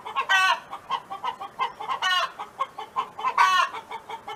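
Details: A neighbour's farmyard hen: three loud nasal calls are interspersed with evenly paced short clucks, in a steady rhythmic song.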